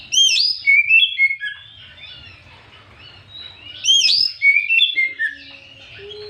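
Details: Afternoon lure song of an Oriental magpie-robin, played to provoke rival magpie-robins. Two loud phrases about four seconds apart, each a high shimmering flourish dropping into clear descending whistles, with a quiet background.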